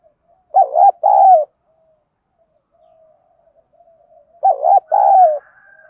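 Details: Spotted doves, male and female, in a recording used to stir captive birds during training: two low cooing phrases about four seconds apart, each a quick stuttered double note followed by a longer, rolling coo, with near silence between.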